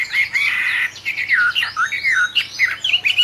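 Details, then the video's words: Song of a captive-bred albino Chinese hwamei: strong, fluid warbling whistles that swoop up and down in quick succession, with rich looping phrases and no pause throughout. "Kicau wambie albino"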